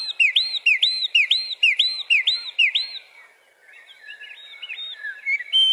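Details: A wren singing to defend its territory gives a loud, high series of about nine quick, looping whistled notes, then a softer, jumbled twittering run.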